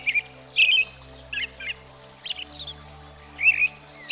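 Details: American Robin, a familiar U.S. backyard bird, singing short clear caroled phrases in irregular bursts, some rich and warbled, others thin, separated by pauses, over a faint steady low drone.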